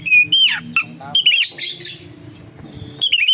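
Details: Oriental magpie-robin singing as a lure for other birds: clear whistled notes and a falling slur, then harsh scratchy bursts, over a faint low hum.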